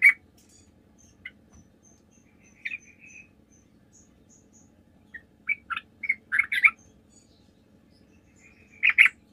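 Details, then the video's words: Sooty-headed bulbul singing actively, played as a lure to make other bulbuls answer; scattered short bright chirps, then a bubbly burst of notes near the middle and a final loud cluster, with long quiet gaps and a low steady hum. "PANCINGAN TRUCUK GACOR"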